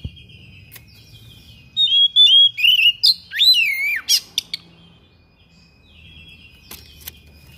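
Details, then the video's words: Thick-billed kacer (Oriental magpie-robin) giving a sharp, insistent song that unloads mimicked fill-in phrases: a burst of loud, clear whistled notes, short trills and steep swooping slurs over about three seconds, then quiet. "KACER PARUH TEBAL SUARA PERIH NGOTOT BONGKAR ISIAN"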